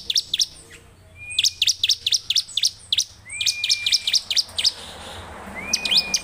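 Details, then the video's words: Bar-winged prinia, known locally as ciblek, delivering rapid sharp descending chip notes in quick runs, with occasional flat drawn-out whistles between bursts over a faint low background hum. "suara ciblek gacor"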